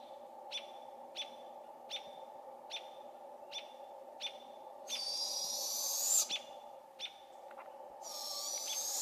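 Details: In a British Columbia forest, Robins chirp steadily about twice a second before a juvenile Barred Owl cuts in with a harsh, drawn-out raspy hiss calling for its parents. A second rasp starts near the end.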